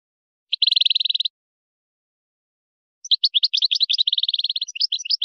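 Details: European goldfinch, Moroccan wydani song for training chicks and hybrids: a quick even trill of identical notes, then after a pause a varied twitter mixing sharp chirps with another rapid trill; clean recording.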